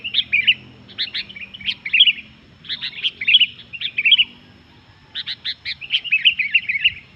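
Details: Energetic sooty-headed bulbul song said to rouse other bulbuls: clusters of sharp chirping notes with short warbled whistles, phrases repeating about every second, separated by brief gaps.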